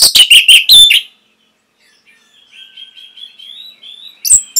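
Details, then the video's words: Orange-headed thrush training song used to prompt caged birds to imitate. A burst of loud, rapid, high chirps and twitters, then a long faint thin whistle, then a few sharp chirps at the end. "ANIS MERAH PASTI MENGIKUTI KICAUAN MASTERAN INI"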